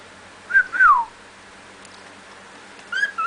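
A cockatiel whistles clear, swooping notes, a short rise then a long falling slur, repeated after a pause.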